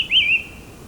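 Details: A White-whiskered (Formosan) laughingthrush sings in cold subalpine air at high altitude in Taiwan's Hehuan Mountains: one clear, bright whistled phrase, wavering up and down before trailing off, over a faint low hum.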